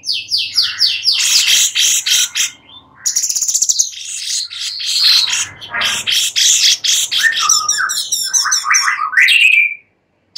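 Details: Sooty-headed bulbul master song used to tutor White-rumped shamas: a dense, varied medley of rapid chirps, buzzy trills and swooping whistles, ending in lower slurred notes before a short silence.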